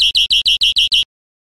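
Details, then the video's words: European greenfinch song for training caged birds: seven rapid, identical buzzy chirps in about one second, then silence. "NUEVO CD PARA EDUCAR VERDERONES"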